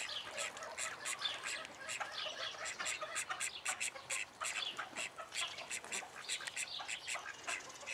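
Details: Several juvenile call ducks alongside chicks, kept in a private Dutch collection, produce a steady chorus of rapid raspy quacks and chattering notes, overlapping throughout.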